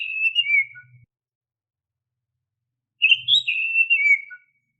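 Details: Oriental magpie-robin song, used as a lure for caged birds. Two clear whistled phrases with a falling, wavering line, separated by a two-second gap. A faint low hum sits under each phrase.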